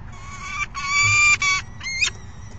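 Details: Peregrine falcon chicks screeching at an adult at 12:17 PM on May 29, 2022: loud, harsh, strongly harmonic screams in three bursts, the middle one longest, then two shorter rising squeals.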